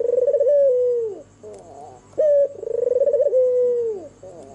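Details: Night-time cooing of a white, red-eyed albino turtle dove, used as a lure to prompt other doves to call. Rhythmic rolling coos end in a falling slur, with a short sharp coo between phrases.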